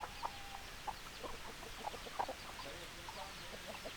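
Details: Chickens, hens and roosters together, giving short overlapping clucks in quick irregular bursts, several louder notes standing out against a steady background of flock chatter.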